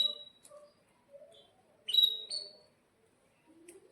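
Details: Caged canary in breeding condition, used to lure and tutor young canaries; scattered high notes, then a strong rising chirp with a short trill, and soft low twitters at the end.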